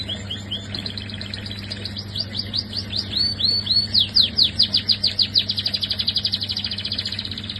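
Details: Canary in a cage delivering a bright, rapid song of sweeping chirps that speed into a dense rolling trill, clear and loud over a faint low background hum.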